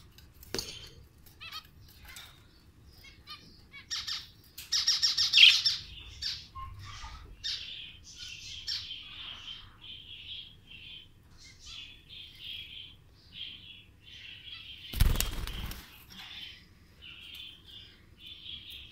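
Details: A lutino budgerigar, out of its cage for the first time, chatters in rapid, scratchy chirps and warbles, with a brief burst of handling noise.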